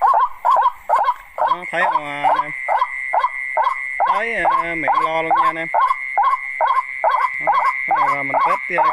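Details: White-breasted waterhen calls played back as a test: rapid repeated nasal notes about two per second, mixed with deeper harmonic croaks, over a steady high electronic whine.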